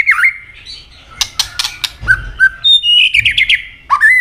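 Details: White-rumped shama, a bird said to be changing plumage, singing its fighting song with tail-snapping. Clear whistled phrases alternate with a burst of clicking snaps and thuds, then end in looping, rising and falling whistles.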